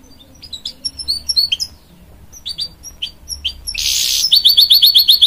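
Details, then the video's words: Hybrid goldfinch, a canary and goldfinch cross, singing to encourage young chicks: scattered thin high chirps and whistled notes, then a dense buzzy burst followed by a fast even trill of sharp repeated notes. "A Hybrid Goldfinch Sings To Encourage Young Chicks"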